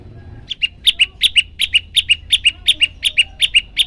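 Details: Olive-backed Tailorbird (prenjak lumut), hungry and singing actively: a fast, regular run of paired sharp chips, high then slightly lower, repeated almost three times per second for several seconds.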